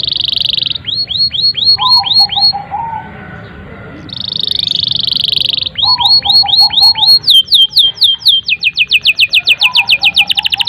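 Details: Canary in long, vigorous song, played as a lure to stir young or silent canaries into singing. Loud buzzy rolls alternate with fast series of downslurred whistled notes and a rapid trill that speeds toward the end.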